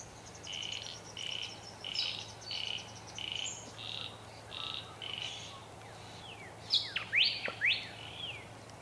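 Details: Satin Bowerbird displaying at its bower in a country garden in Victoria, Australia, on 25 July 2024: a run of buzzy, even notes repeated about twice a second, then sharp downward-sweeping whistles and squeaks near the end.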